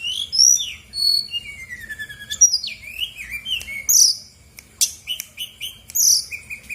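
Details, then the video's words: Brown-chested jungle flycatcher, a vigorously singing female of Bali origin, recorded as a lure to stir lazy birds into answering. High varied whistled phrases, some rising and some falling, come in quick bursts with short pauses between. "PANCINGAN SRDC GACOR BONGKAR ISIAN/BURUNG MALAS BUNYI AUTO EMOSI RESPON NYAUT!!!"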